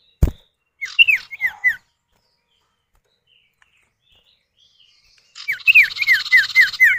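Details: Lure recording of a common iora pair, male and female answering each other: a short set of downslurred whistles, a long silence, then a fast series of whistles laid over a dry buzzing trill.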